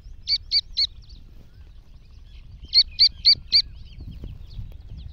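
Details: Iranian black francolin uttering a run of three shrill high chirps, then a pause, then four more at the same brisk pace, over faint background hum.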